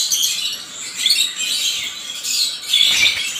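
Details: African lovebirds giving shrill, harsh chattering squawks in bursts that rise and fall, with short louder outbursts near the start, middle and end.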